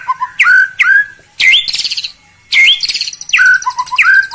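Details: White-rumped shama song meant to provoke rival birds: repeated upward-swooping whistles, each running into a short buzzy rattle, in phrases separated by brief pauses.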